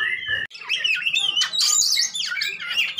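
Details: Two or more fighting oriental magpie-robins, recorded to prompt a silent bird to sing: after a brief cut, rich warbled phrases mix piercing high whistles with rasping chatter in a loud, unbroken run.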